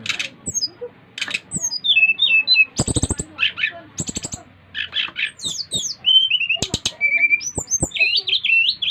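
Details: Brown-chested jungle flycatcher from Bali, a five-month-old bird, singing to draw other birds of its kind into song: varied bursts of sharp high chirps, slurred whistles and rapid trills, with brief pauses and a short spoken phrase beforehand.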